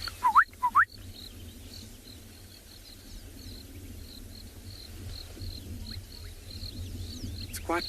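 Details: A Gorgeous Bushshrike calling quite distantly at sunrise on safari, 24 December 2020, gives two quick rising whistles near the start over a steady chorus of high, repeated notes from other birds in the cool morning.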